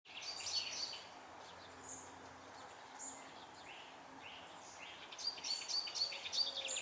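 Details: Icterine warbler singing in June 2021: a fast, varied medley of scratchy chirps and high notes, ending with a quick run of sharp repeated squeaks, with steady background hiss.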